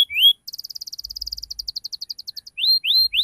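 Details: Ngriwik cuit-cuit lure song for young canaries: an upward whistle, then a fast, even trill of some twenty-five tiny notes, ending in repeated rising whistled slurs.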